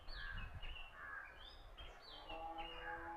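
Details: Oriental magpie-robin song recorded at Punnad, Iritty, on a Nikon Coolpix B600: clear whistled phrases that slide down and up, several notes per second, with low rumbling background noise.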